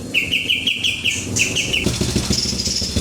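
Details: ['Kapas tembak giving a run of rapid, bright chirped notes for nearly two seconds, with a few high whistles, before a motorcycle engine rumble takes over the rest.']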